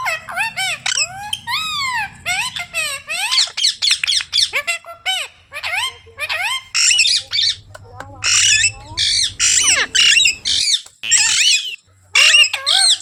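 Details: A talking pet Indian ringneck (rose-ringed) parakeet chatters in rapid, harsh squawks and rising-falling whistled syllables, a near-continuous stream of mimicked human speech with short pauses, while people coax it to call words.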